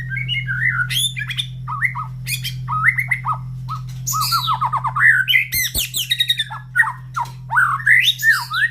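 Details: Caged white-rumped shama after its morning feed, placed by other birds' breeding cages, all calling back: a long, varied song of loud looping whistles, trills and quick repeated chips, with a low hum throughout.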